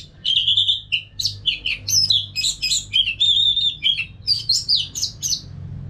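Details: Unbroken song of an orange-headed thrush, used as a sound to train caged birds: a steady flow of high whistled, warbled and slurred notes with no gaps, some held notes wavering, over faint low hum.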